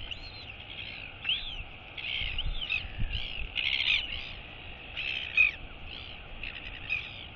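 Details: Royal albatross chick at the nest on 23 August 2022, waking as its mother arrives to feed it and wheeing to greet her while she gives a skycall. High, arching wheeing notes come in repeated bursts over steady wind hiss.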